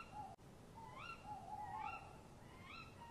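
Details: Night-time conversation between a male and female tawny owl by their nest box, March 2015: rapid rising kewick calls, three in quick succession, over a drawn-out low tone, with one sharp click early on.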